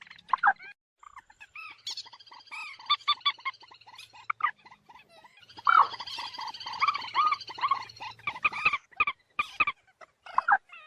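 Common moorhen giving a run of harsh, croaking calls and clucks, some short and abrupt, others in quick chattering bursts, with a faint low hum beneath.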